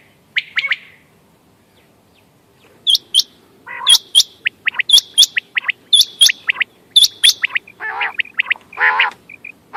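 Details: Quail calling, used as a hunting lure, recorded 14 May 2025: after a brief pause, rapid paired high chirps repeat about once a second, mixed with short whistled notes and a few rough, buzzy bursts near the end.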